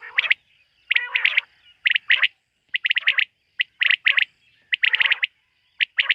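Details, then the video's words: Quail calling at night, linked to quail hunting: sharp whistled notes in quick bursts of two to four, with some harsher, broader notes, about once a second. A faint steady tone runs underneath. "Bater ki rat wali awaz ۔۔quail sound of night"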